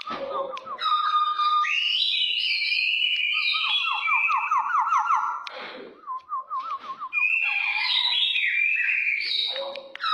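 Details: Brown oriole singing in an aggressive style: rich, continuous whistled phrases mixing high fluty notes with fast runs of descending slurred notes, a short break near the sixth second, then more loud varied whistling.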